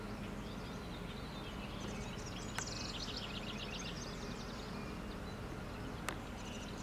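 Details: House wren singing at St. Anne de Madawaska, New Brunswick, Canada, on July 1, 2020: a rapid, bubbly cascade of high notes lasting about two seconds, against steady low rumbling background noise and a couple of sharp clicks.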